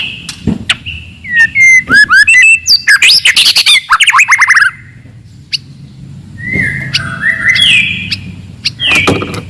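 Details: Aggressive loud song of a forest white-rumped shama meant to anger rivals: a dense burst of fast rattles, chips and slurred whistles, then slower, softer level whistled notes over a faint background hum.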